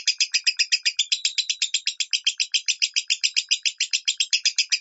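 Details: Lovebird minor song intended for teaching lovebirds at home: quick, repetitive scratchy chirping, close to four notes a second, steady and loud throughout.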